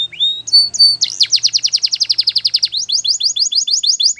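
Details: Canary singing a few short rising whistles, then a fast run of repeated downslurred notes, about six per second, shifting into a quicker series of short chirps.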